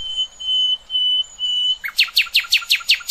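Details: Nightingale song for training young goldfinches and hybrids: three long, pure sustained whistles on one pitch, then a quick series of loud downward-sweeping notes repeated about eight times.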